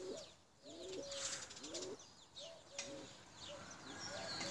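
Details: Flying tumbler pigeons, some blue checkered: a run of deep, rolling coos, each rising then dipping, repeats every half second or so over constant bright chirping of other small birds.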